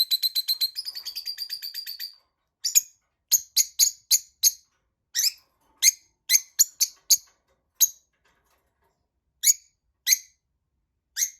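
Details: Tamed lovebirds giving a rapid stuttering series of high, harsh chirps for two seconds, followed by scattered single sharp squeaky chirps spaced irregularly over several seconds.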